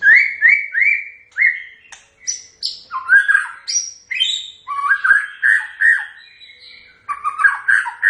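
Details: White-rumped shama delivering its typical song, a long continuous stream of loud clear whistles, upslurred notes and sharp high phrases, varied and almost without pause.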